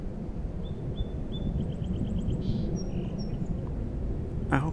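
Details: A faint Song Sparrow song in Alexandria, Virginia: a few clear opening notes, then a quick trill, a buzzy note and short high notes, over a steady low rumble.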